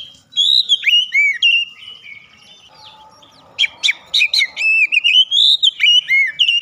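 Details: Oriental magpie-robin in loud full song, beak opened wide: varied arched whistles, a quieter pause with low rustle, then a fast burst of sharp, clear notes and loops.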